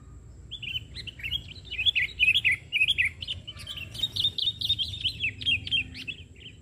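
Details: Sooty-headed bulbul (kutilang), singing vigorously during bird trapping, perched on the ground rather than a branch: a continuous run of bright, bubbly, warbled chattering notes, rising and falling, building in loudness midway, with a faint steady hiss behind.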